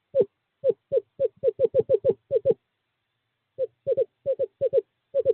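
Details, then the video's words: Eastern screech owl male, courting season, calling a female to owl box 5 on 2/11/2023. Rapid runs of soft, even-pitched hooting notes, about ten in the first series, a silent gap, then a second run of about eight. "Male screech owl calls female to owl box 5"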